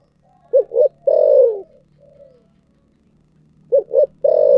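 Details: Spotted dove, 'thổ sấm' voice style, repeating its phrase of two short deep coos and a prolonged descending coo. A softer trailing note follows the first phrase, and the second phrase is cut off at the end. A low hum sits in the background.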